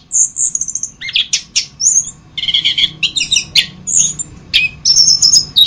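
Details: Orange-headed thrush in a training recording for other birds, singing thin high whistles, brief trills and clicking chirps mixed with lower slurred notes, phrases separated by short gaps.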